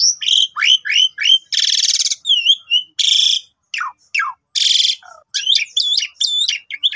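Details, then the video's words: Asian pied starling song played in the morning to start other starlings singing: falling whistled notes alternate with three loud harsh rasping bursts, followed by twisting high warbled whistles. "Pancingan Suara Panjang Cukup 1 Menit !! Jalak Suren Manapun Ikut Gacor"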